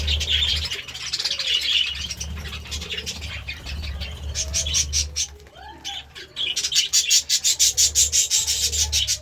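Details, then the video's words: Budgerigars chirping in the morning: busy high warbling chatter with rapid clicking pulses, fading briefly mid-way then returning as fast rhythmic ticking bursts, over a low steady hum. "Budgie Sounds part 33 | A beautiful chirping sound in the morning"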